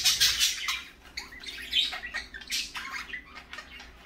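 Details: Several parakeets calling in the morning: bursts of harsh, high chirps and squawks, dense and loud in the first second, then scattered rasping notes through the rest.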